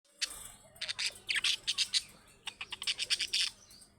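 Budgerigar chatter: quick bursts of high, scratchy chirps and squeaky warbles, tumbling in two rapid runs with a brief pause between.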